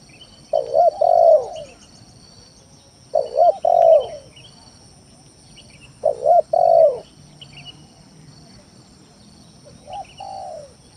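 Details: Spotted dove lure song to provoke rivals into calling: four phrases a few seconds apart, each a quick double coo and a long hollow falling coo, the last softer, with faint chirps and hum.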